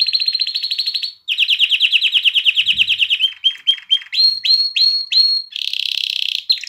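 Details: Canary singing to stir females toward mating and prompt young birds to sing: a rapid high trill, a brief pause, a throbbing rolled trill, then clipped upslurred whistles in quick series and a closing dry buzzy rattle.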